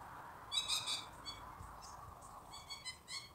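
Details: Australian magpie, a wild bird of Australia, uttering clusters of brief bright piping notes, a burst near the start and more toward the end, against soft background hiss.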